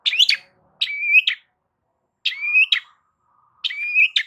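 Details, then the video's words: Loud long-tailed shrike song meant to draw a response from other shrikes: paired harsh chattering notes framing a rising whistled slur, phrases spaced about 1.4 seconds apart, no other sounds. "Cendet DIAM Pasti Tak Tahan Dan MERESPON Gacor Bongkar Isian Dengan Suara Kicauan Cendet KERAS"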